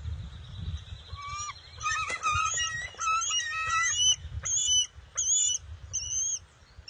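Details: Noisy juvenile bald eagle greeting a parent that brings in a fish, June 22, 2021: a rapid, excited series of chittering, squeaky piping notes, building then breaking into short separated bursts.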